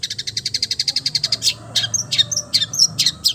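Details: Long-tailed shrike mimicking other birds: a fast even rattle of about twenty high ticks in under a second and a half, then a jumble of squeaky whistled and harsh notes.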